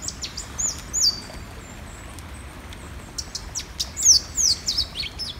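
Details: Louisiana Waterthrush, an early spring migrant, at sunrise by a full-running creek in forested Monroe County, Indiana: high, clear downslurred notes, a few near the start and a brighter, quicker run late on, over steady low hiss.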